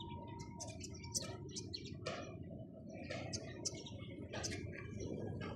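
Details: Sparrows chirping: sharp, high, scattered chips and twitters in quick, irregular bursts over a low rumbling background, with a faint steady hum.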